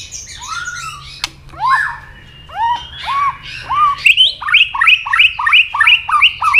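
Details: White-rumped shama fighting song, used to provoke a rival: loud arched whistled notes repeated roughly every half second, then a fast stuttering series of higher rising notes, steady and insistent.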